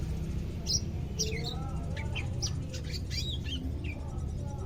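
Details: Captive greater green leafbird, second day in care and beginning to sing, delivers quick scattered chirps and bright whistled flicks at irregular intervals over a constant low background rumble.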